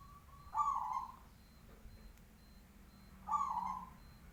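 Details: Loud local zebra dove repeating a rich, slightly rolling coo twice, nearly three seconds apart, with a short faint lead-in note first; thin high whistles and low hum in the background.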